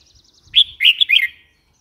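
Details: Red-whiskered bulbul giving one short, lively phrase of three or four liquid, slurred notes, rising then dropping, after a faint thin trill.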